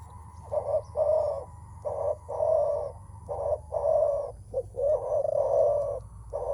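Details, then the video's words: Menguku calling of a spotted dove facing a rival, typically before a contest of strength and mostly by males: low burry coos in a steady run, about one every one to two seconds, each lasting half a second or more. "Suara menguku terkukur"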